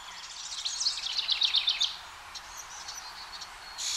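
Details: House wrens at a nest box as the final two of five young prepare to fledge toward a nearby hemlock tree. A brief high chattering trill of about eight clipped notes, then faint scattered chips.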